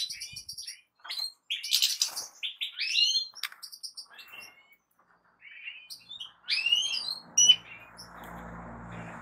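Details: Goldfinch singing in quick, liquid twittered phrases with sharp upward-sweeping chirps and metallic buzzes, broken by brief silences; a low steady hum and faint background noise creep in over the last second.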